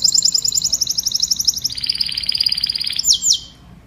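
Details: Canary singing to call its flock: rapid high rolling trills of repeated notes, each phrase steady in pitch, dropping to a lower buzzy trill midway and ending with two sharp downward sweeps.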